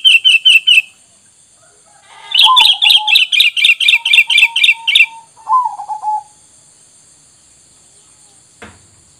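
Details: Lure recording of sooty-headed bulbul meant to make wild birds reply: quick runs of sharp high chirps, about four per second, mixed with lower slurred whistled notes falling in pitch, then a single soft thump near the end.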